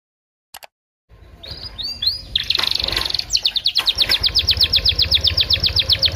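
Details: Canary song played to stimulate other canaries to sing and as a tutor recording: after a second of near silence and a click, rapid repeated high notes begin, quickening into an even trill of about four notes a second over a low hum.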